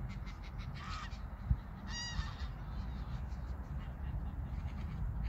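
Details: Migrating geese calling in flight over Koedijk, Langedijk, the Netherlands, on a summer evening, 21 August 2019; two short harmonic honks near the start, then quiet, over a steady low rumble of wind.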